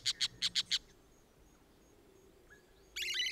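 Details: High, clipped chirps from an orange-chinned parakeet in Costa Rica: five quick notes at the start, a long quiet gap, then a dense harsh burst of chatter at the end.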